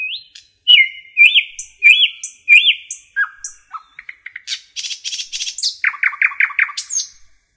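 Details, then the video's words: Common nightingale singing in a forest: clear upswept whistles repeated four times, then low notes, rapid buzzy rattling bursts and a fast series of loud slurred chooks, no other sounds. "Nightingale song"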